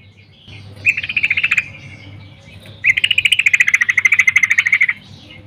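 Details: Female yellow-vented bulbul calling to a male in the morning, used as a lure to prompt males to sing: two bursts of rapid, pulsed chattering, a short one then a longer steady run of about two seconds, with faint low hum beneath.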